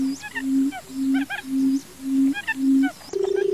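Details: Barred buttonquail in a field uttering a series of six low, drawn-out hooting notes about half a second apart, with high chirping birds calling overhead, then a low pulsed drone begins.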